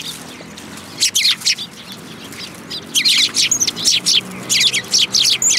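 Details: Eurasian tree sparrows at a Tenmangu shrine come for handouts on 10 February 2022; loud, dense chatter of harsh chirps, a brief burst, a pause, then nearly continuous chirping for the last three seconds.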